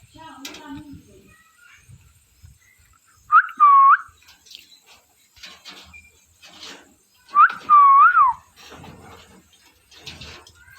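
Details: Parrot calling twice, about four seconds apart: loud, whistled, warbling squawks near one to two kilohertz with a rising-then-falling shape and rich overtones, over soft background rustling and clicks indoors.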